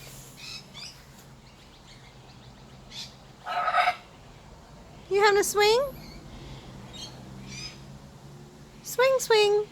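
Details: Blue-and-gold macaw playing on a swing gives a harsh squawk, then several rising, whining calls in pairs, with soft chatter and a low background hum.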